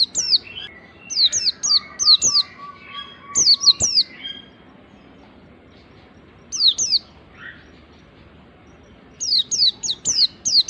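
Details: Oriental white-eye from the wild, song played to lure other white-eyes: repeated groups of high, downward-slurred whistled notes in runs of three or four, with a faint buzzy note and background hum.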